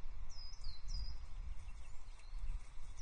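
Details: Osprey pair at the Loch Arkaig nest on 4 May 2024, the female arriving with a stick and standing on the male; a few sharp, downslurred whistled notes early on, then steady wind rumble.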